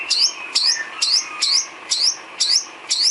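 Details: Filler song of the white-rumped shama, used to train cage birds: a high, bright chirp repeated about every half second, each note sweeping down then up.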